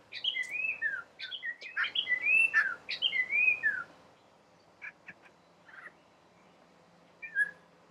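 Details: Collared palm thrush singing in gardens on the Chobe riverbank, Botswana: a rich burst of varied whistled and slurred phrases over the first four seconds, then scattered short notes and a final whistle.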